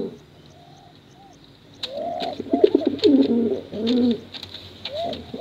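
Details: Pigeon pair, male and female, cooing for contests and to draw in young birds: soft opening notes, then repeated rolling coos in several bursts and a final rising-falling coo, with clicking ticks.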